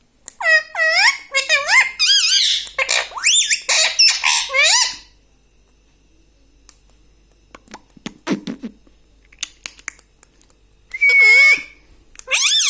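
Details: Talking parrot said to say "mummy papa": a fast run of arched, wavering, speech-like syllables for five seconds, then quiet with scattered clicks and rustles, then two more loud bent calls with a brief whistle.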